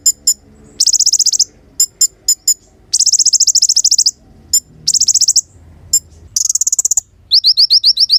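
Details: Kolibri ninja sunbird singing in a recording used to draw and train songbirds; sharp high ticks and short bursts of rapid buzzy trilling, finishing with a run of quick rising notes, in a quiet setting.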